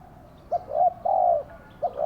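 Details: Caged decoy spotted dove used to lure wild doves into a trap. It gives short, low, hollow coos: a brief note, then a longer drawn-out coo, then another short note starting.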